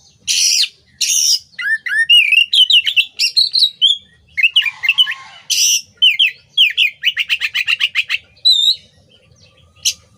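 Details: Oriental magpie-robin song for training songbirds: harsh rasping bursts alternate with sweet whistles, downslurred notes and a fast rattling trill of repeated chips.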